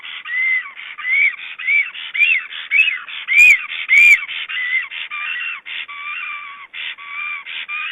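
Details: Estonian black stork nest during a visit, with repeated whistled calls that rise and fall, almost two a second, and two sharp clicks midway through.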